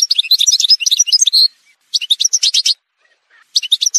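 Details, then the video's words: Algerian goldfinch singing in an edited montage: quick tinkling, twittering phrases with high chirps, a long burst followed by two shorter ones after brief pauses. "chant chardonneret montage"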